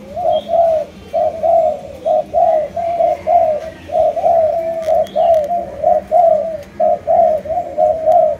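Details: Captive Malaysian-line spotted dove cooing steadily: a long run of soft, low hooted notes, about one per second or faster, even and unbroken, with faint faraway chirps.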